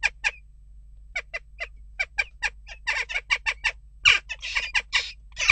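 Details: Unrest at a nest box, with western jackdaws giving clipped, harsh calls. The calls are spaced at first, then quicken into a rapid, crowded series toward the end, a few of them rougher and drawn out.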